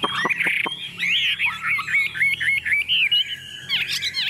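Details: Hand-tamed Chinese hwamei perched on a table sings boldly, a few sharp clicks opening into a fast stream of looping whistled notes and wavering trills.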